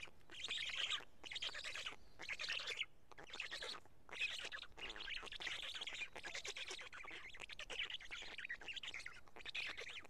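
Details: At a Karula black stork nest during a late-May 2017 midday feeding of two big fish, chicks eating: a long run of rough, hissing squeal bursts, ten or so, coming in quick succession with short pauses.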